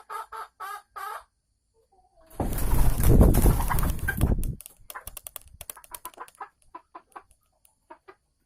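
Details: Caged female Sumatran red junglefowl about to lay eggs, giving ngekek cackles, 24 December 2020: three harsh clucks, then a loud two-second rustling burst like flapping wings, followed by quick faint clicking notes.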